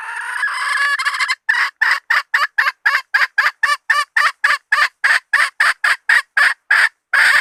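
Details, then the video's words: Hen bait call: a harsh, drawn-out squawk sliding into a fast, rhythmic run of short, raspy clucks repeated about three or four per second, loud and close throughout. "Suab poj qaib seev zoo 100% 2020 / latest hen standard bait 100%. 2020"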